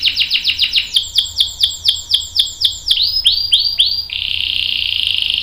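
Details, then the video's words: Canary long roll, played to get other canaries singing: quick descending whistled notes that slow into wider spaced swoops, then a dense buzzy trill held to the end. "KENARI GACOR NGEROL panjang bagus untuk PANCINGAN dan MASTERAN biar ikut BUNYI | CANARY SINGING"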